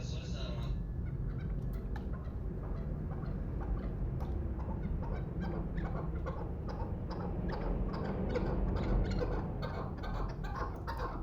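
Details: Two-year-old Pamir chukar partridge kept for hunting, giving a fast run of short clucking chuk notes, about three per second, low and throaty, over a steady low background hum.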